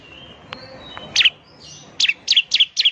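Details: Bar-winged Prinia (ciblek) lure: a faint thin whistle, then an accelerating string of loud, sharp chirping notes, each falling quickly in pitch.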